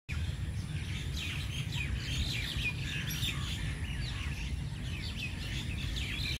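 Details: Indian pied myna perched on a dry branch of a tree by a pond, giving a running stream of short, varied chirps and squeaky whistles, some rising and some falling, over a steady low rumble of wind or distant traffic.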